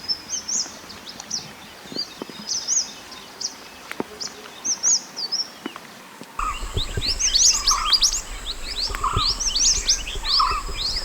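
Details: Mountain white-eye song recorded in the wild, used as a master recording for training cage birds: high thin chirps and twittered notes, sparse at first, then a denser, louder burst of overlapping high twitters with lower slurred notes.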